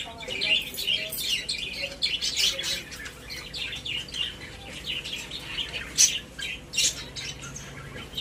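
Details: Several caged budgerigars keep up a steady, softer background of high twittering and chirping throughout, with a few louder sharp notes standing out.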